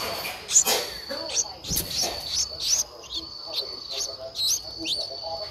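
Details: Streak-eared Bulbul nestling, 11 days old, eyes opened at seven days, Ubon Ratchathani, Thailand, 13 April 2023; brief thin high chirps scattered irregularly, over a steady high whine, with faint low voices and rustling nearby.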